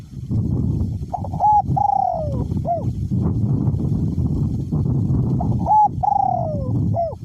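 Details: Caged spotted dove used as a decoy, small-to-medium voice, cooing in strong wind. It gives two complete phrases a few seconds apart, each with short notes, a long sliding coo and a hooked ending. Constant wind roar.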